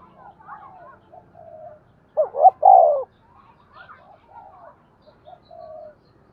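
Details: On the first day of the lunar new year a spotted dove delivers one clear cooing phrase: two quick low notes and a drawn, descending coo, surrounded by fainter distant cooing notes.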